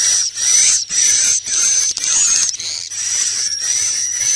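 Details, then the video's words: High, sizzling swiftlet chatter from an 'inap plus' roosting lure, running in steady buzzy bursts with brief breaks, some notes briefly rising in pitch. "SUARA BURUNG WALET🐦 INAP PLUS"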